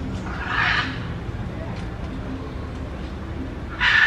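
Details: Two harsh, raspy macaw squawks, one near the start and one at the end, over a steady low rumble of background noise; the macaws are eating clods of earth.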